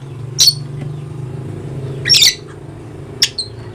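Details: From Papua in eastern Indonesia, a dusky lory utters three sharp, piercing squawks at irregular intervals, the middle one longer and rougher, with a faint low hum behind.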